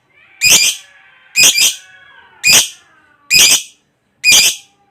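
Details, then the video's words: Lovebird giving its long trilling 'ngekek panjang' song, used as a lure to prompt other lovebirds to sing: five harsh, rasping, broadband squawk bursts, each about a third of a second, spaced roughly one second apart, with a quiet background. "Suara Burung Lovebird NGEKEK PANJANG"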